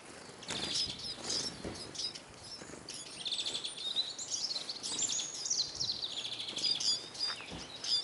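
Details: Hungry Eurasian siskins crowd a bird feeder in Kolmården, Sweden, recorded from the ground beneath it. Many birds give thin, high twittering chirps in overlapping bursts throughout, with steady background noise.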